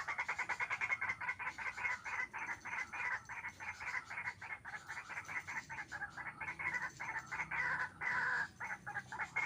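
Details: White-breasted waterhen, called fierce, heard during trapping with a hanging snare trap: a fast, continuous stream of harsh, grating croaks with only brief breaks.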